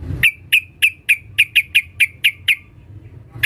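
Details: Calling female sooty-headed bulbul, meant to draw a male and used as a lure: a steady run of about ten sharp, ringing notes, roughly four each second, then one more after a pause.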